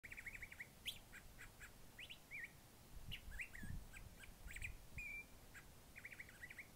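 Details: Curve-billed thrasher singing varied, multifaceted song rather than its usual wheat-wheat call: rapid warbled phrases of buzzy, rising and falling notes, clustered in quick bursts with short pauses, over low background rumble.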